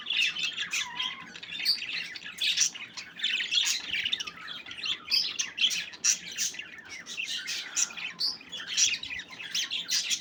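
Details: Budgerigars at play fill the air with constant high-pitched chattering, sharp clicks and short squawky notes mixed with rapid twitters, several birds calling over one another without a break.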